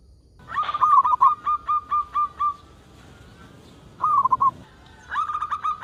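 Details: Local zebra dove calling as a lure for other doves: a rolling string of soft pulsed coos that slows toward the end, then a short wavering phrase and another rising series.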